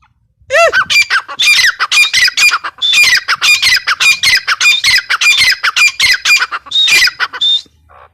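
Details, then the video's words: Female grey francolin (teetar) opens with a single rising, nasal note, then breaks into a rapid, rhythmic train of harsh, clipped squawks lasting about seven seconds before a final drawn-out note. "Teetar ki awaz | teetar sound | gray francolin teetar awaz | female teetar sound"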